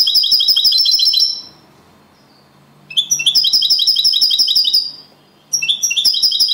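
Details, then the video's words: European goldfinch, a second-place champion singer, performing the copia Malaga singing style: bursts of bright, high, rapid twittering and tinkling notes lasting one to two seconds, separated by short pauses, loud and clean. "Jilguero cantando Limpio 🥈 (campeón el segundo) Copia malaga / goldfinch champion of singing"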